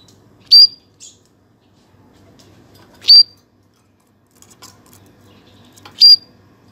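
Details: Canary giving three loud, short, pure whistled notes, each a brief bright peep, spaced about two and a half seconds apart, with faint low background hum and quiet rustling between them.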